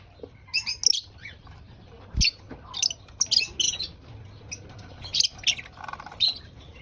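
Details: Lovebird during breakfast, eating, giving repeated shrill squeaky chirps at irregular intervals, each short and piercing, among faint clicks.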